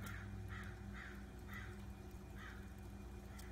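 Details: Crows cawing in the background as a book singes and smolders in a fire; harsh caws repeat roughly every half second in an irregular series, over a steady low rumbling hum.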